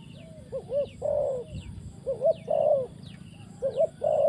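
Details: Spotted dove used as a trapping decoy, calling from the ground: low mellow coo phrases, a short double note then a longer drawn-out croo, repeated about every 1.5 seconds, with thin descending whistles from other birds behind.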